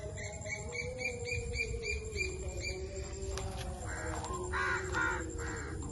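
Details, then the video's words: Green Indian ringneck parakeet chirping: a run of soft, evenly repeated high chirps at first, then several loud, harsh screeching calls in a cluster toward the end, over a steady low hum and background rumble. "Amazing Indian Ringneck Alexandrine l Parrot Chirping Sounds"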